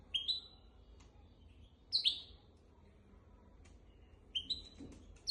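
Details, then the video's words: Hybrid finch song recorded to tutor goldfinches and canaries: short bright whistled notes rising and sliding upward in pitch, in bursts near the start, middle and end, separated by quiet gaps, over low background hum. "تغريد طائر الهجين ميسترو حفاضه لتعليم طيور الحسون والكناري بدون اخطاء"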